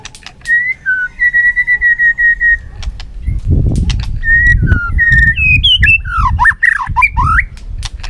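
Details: White-rumped shama in competitive singing with tail flicking: a run of repeated steady whistled notes, then swooping, rising and falling whistled phrases. Sharp clicks and a low rumbling background run throughout.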